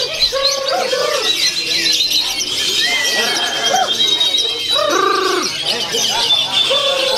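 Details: Lovebird in a bird-singing competition, delivering a long konslet-style song that scored over 2,800 points. A dense, nonstop stream of quick chirps and arched, harmonic twittering notes, with high, thin whistles above and other birds around.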